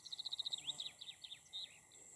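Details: Meadow pipit: a quick run of about eight thin, high, evenly spaced notes, then several sliding, downslurred high notes with short gaps between them, over a steady faint hiss.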